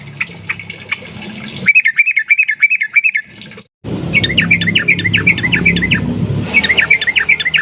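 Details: Sooty-headed bulbul lure song in long 'ropel' style: several runs of quick, bouncing whistled notes, broken by a brief dropout, over a noisy, rumbling background.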